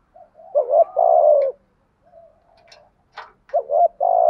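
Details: Spotted dove cooing, used as a lure to draw in wild doves: a short rolling coo phrase of low hoarse notes followed by a long sustained coo, then after a pause another two-part coo with a held ending; quiet indoor background.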